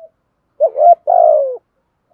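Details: Spotted dove kept as a decoy for wild birds. A single phrase: a quick rising, wavering note, then a long, deep coo gliding gently downward, with silence around it.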